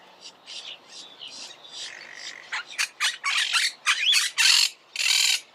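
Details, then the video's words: Monk parakeet chatter building from soft scratchy notes into loud, harsh, rapid squawks and long screeches toward the end. "Canto de la Cotorra - Sonido de Cotorras - Audio De La Cotorra Argentina"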